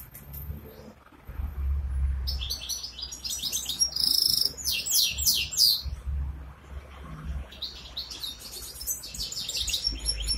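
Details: Ankara goldfinch hybrid sings two bursts of rapid, high, tinkling twitter with buzzy rolls and sharp whistled notes, separated by a quieter gap, over low background rumble.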